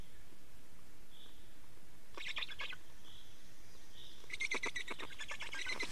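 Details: Black storks at an Estonian nest during change and feeding, 24.05.2019 mid-afternoon: mostly quiet with faint whistled notes, a short raspy pulsed burst, then a longer loud run of rapid squeaky chattering.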